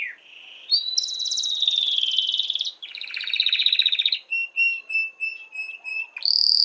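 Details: Canary singing to stimulate hens for mating: a short whistle, then long high rattling trills in two pitches, a series of evenly spaced piping notes, ending on a high trill.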